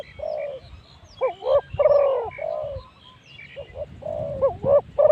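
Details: Spotted doves calling during decoy luring at spot 136: overlapping coo phrases of short notes and long mellow coos, possibly from more than one bird, with some low background noise.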